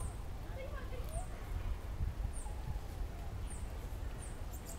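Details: Bananaquit singing free in a tree: thin, very high downslurred notes repeated about once a second, with softer mid-pitched twitters early on, over steady low rumbling background noise.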